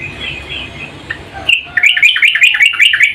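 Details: Yellow-vented bulbul, a female calling the male, gives a fast run of bright, chattering, bubbly notes that rise and fall for nearly two seconds after a quiet start with faint distant twittering.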